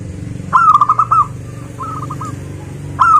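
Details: Zebra dove song used as a lure to get local zebra doves singing: a loud opening note, then a rapid series of short, evenly repeated coos, with a softer, fainter phrase following and another loud phrase starting at the end.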